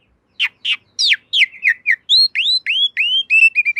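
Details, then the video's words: Black-winged myna song used as a master for cage birds: harsh scratchy notes first, then clear upward-arching whistles repeated about three per second, closing with short chirps. "Masteran Jalak Suren Anti Stress. Burung Pasti Nyaut"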